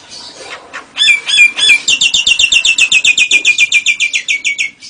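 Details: Nias hill myna singing actively with imitations of lovebird and canary: a few scratchy notes, then a long fast run of bright, sharply repeated chirps, about four per second, sliding slightly downward at the end.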